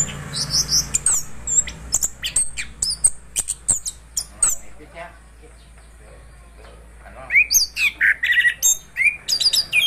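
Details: Anis kembang (orange-headed thrush) delivering 'gacor ngeroll' song. Rapid sharp clicks and high chirps come first, then a few seconds of near-quiet, then a fast run of loud whistled notes, each about a third of a second apart.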